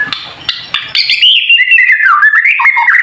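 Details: White-rumped shama in the kretekan style, used to provoke other shamas into singing: a few dry clicks give way to a loud, unbroken, warbling run of notes that slide down and back up.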